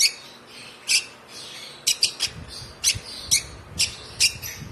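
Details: One-month-old African lovebird chick, hand-fed since two weeks of age, giving sharp high chirps in short bursts, about nine over the stretch, spaced unevenly with brief pauses between, against a quiet low room hum.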